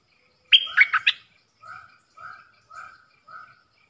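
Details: Dok taeng style song of a caged red-whiskered bulbul answering wild birds in a singing duel, Thailand, October 2021: a fast cluster of bright whistles followed by four softer, lower, evenly spaced notes.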